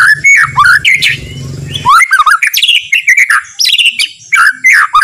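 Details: Murai batu, a white-rumped shama, giving slow easy song phrases that stir rival shamas to sing: loud fluid whistles rising and falling, sharp chips between, a low droning hum early on.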